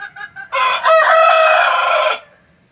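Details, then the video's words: Hen calls recorded to encourage hens to lay eggs; a few soft clucks, then one loud, harsh, sustained squawk lasting about a second and a half that breaks off abruptly. "Suara pemikat ayam betina agar mau bertelur"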